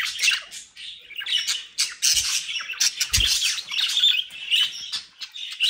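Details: A lively captive budgerigar flock, home-bred in South Holland, Netherlands, keeps up nonstop scratchy warbling and squawks. Two dull low thuds sound partway through.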